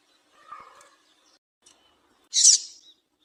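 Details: Female double-collared seedeater call, used to stimulate a male to sing: a single harsh, noisy high chirp burst near the end, preceded by a faint lower warbling murmur; quiet background otherwise.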